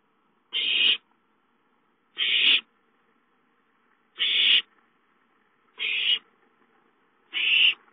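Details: Owlets at home calling for food on 5-9-13: five harsh, hissing screech bursts, each under half a second, repeated roughly every one and a half seconds with silence between.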